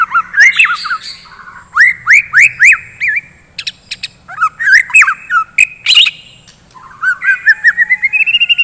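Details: White-rumped shama singing in the morning to stimulate fighting shamas: bursts of fast rising slurred whistles between harsh clicks, closing with an accelerating run of short ascending notes.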